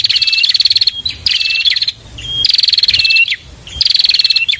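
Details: Song of a bar-winged prinia: loud, high, rattling trills of quickly repeated notes, each ending in a lower curling slur. Four bursts are spaced by short pauses.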